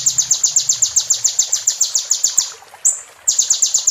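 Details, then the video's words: Roll tembak song of a kolibri ninja for training a moulting bird: a rapid series of bright, high, chipping notes that fades into a brief whistle and a short pause, then the fast notes resume. "MASTERAN KONIN FULL ISIAN ROLL TEMBAK PART 2"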